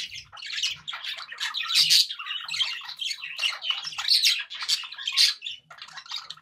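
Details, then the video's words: Pet budgerigars chatter happily in a continuous, dense stream of buzzy warbles, clicks and sharp chirps, with faint low thumps in the background. "happy budgie sounds"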